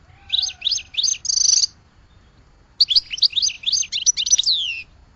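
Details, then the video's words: Two goldfinch phrases of lively, high chirping twitters, the first closing with a buzzy trill and the second with a downward-sweeping note, separated by a second of silence. "Goldfinch Song to Educate Newcomers to Their Call"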